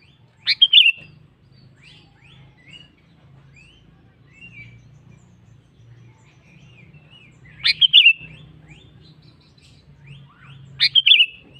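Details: A sooty-headed bulbul singing energetically to call a rival, repeating a short bubbling phrase of clipped, slurred whistles three times about every three to seven seconds, with faint chirps between and a low steady hum below.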